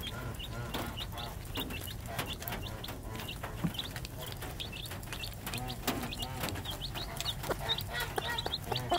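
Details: Three-day-old chicks beside their mother hen, peeping in quick high chirps throughout, with low murmuring clucks and a faint low rumble behind.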